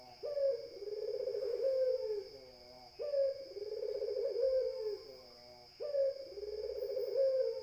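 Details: Barbary dove cooing steadily: three long purring coos, each with a quick rising onset and a slightly falling tail, spaced roughly three seconds apart, with a faint electrical whine behind.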